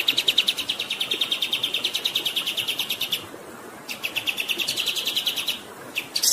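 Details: Kapas tembak bird in rolling song, two long runs of quick repeated chirps split by a brief gap, ending in a short high burst, with water rushing steadily behind.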